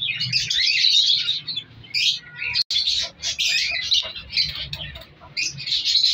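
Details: Captive colour lovebirds in a colony, kept for breeding and mutations, keep up a busy stream of high, squeaky chirps and chatter with one abrupt short silence, over a faint low hum.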